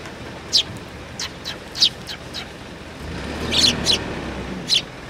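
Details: At a Tenmangu shrine on 20 August 2022, a sparrow with an injured upper beak gives scattered bright, high chirps, spaced irregularly, with a brief low rumble like a passing vehicle near the end.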